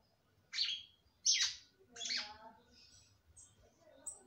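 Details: Female red-cowled cardinal singing to excite the male: three separate descending, buzzy note-bursts about three-quarters of a second apart, then faint, thin high notes.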